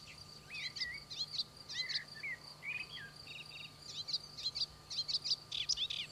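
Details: A melodious warbler (Hippolais polyglotta) sings in Corrèze, France, pouring out a fast, chattering song of varied twittering and scratchy notes, high-pitched and continuous, over a faint steady background hum.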